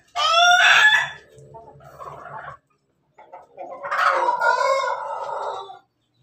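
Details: On 17 May 2024 a Pelung Bangkok chicken crows in laughing style: a bright harmonic opening note, a quieter rough murmur, a short gap, then a second, lower, wavering drawn-out crow.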